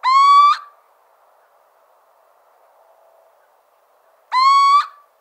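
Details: Little owl, one of France's smallest owls and more active by day than others, giving two plaintive, rising mewing hoots about half a second long, spaced about four seconds apart, with a faint background hum between.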